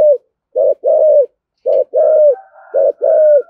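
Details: Thúc gù coo of a spotted dove, 'giọng thổ' voice, used to provoke other doves: short-long pairs of mellow low coos, the long note slightly falling at its end, with a faint higher tone running under the later pairs.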